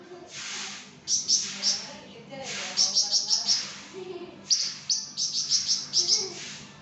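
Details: Flamboyan bird singing lively: bursts of high, sharp chirps in quick clusters, each phrase of three to five notes separated by short pauses, over a faint background hum.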